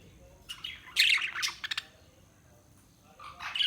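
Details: A short burst of budgie chirps and squawks, a brief quiet pause, then more high chirping at the close.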